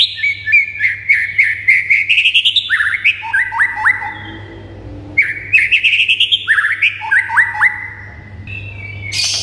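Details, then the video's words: White-rumped shama song used to make other birds respond and sing; loud rapid series of rising whistled phrases and sharp upslurred notes in two bursts, with a quieter pause between. "BIKIN MURAI BATU MANDEK SEKETIKA NYAUT GACOR & NAIK EMOSINYA"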